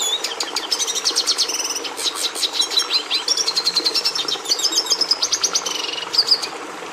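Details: Red siskin, the species breeders used to bring red colouring into domestic canaries, singing a brisk, unbroken medley of trills, high chirps and buzzy notes.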